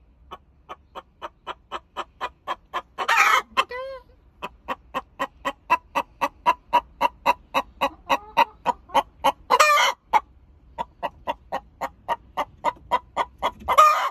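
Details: Clucking egg song of an Olive Egger hen after laying an egg: long even series of quick clucks interrupted by loud harsh squawks, one descending squeal near the start, steady low hum.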